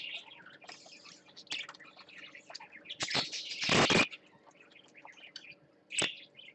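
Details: Parakeet on swings chirping in short warbled phrases, interrupted by a loud rushing burst like fluttering wings, over a low hum.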